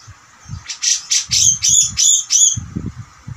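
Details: Grey-cheeked Bulbul in lively, full song, recorded as tutor material for training songbirds: a run of about seven loud, high, harsh chattering notes, quickly repeated with uneven spacing, over low background rumbles.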